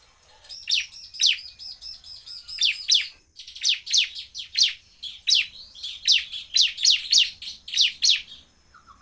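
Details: Bar-winged prinia in full, fast, powerful song meant to provoke other prinias: bursts of sharp, high descending chips in quick rapid series, pausing briefly between phrases, with a thin steady whistle beneath.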